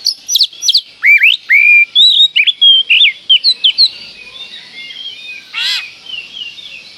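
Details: Oriental magpie-robin performing a provoking lure song of sharp high notes, then long clear whistles sliding up and down, then a fast run of short repeated notes, with one brief harsh burst afterward.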